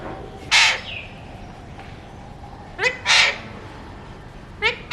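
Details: Alexandrine parakeet, a mutation-coloured bird kept as a talking parrot, gives three harsh, raspy screeches, one early and two close together near the end, over a faint background hum.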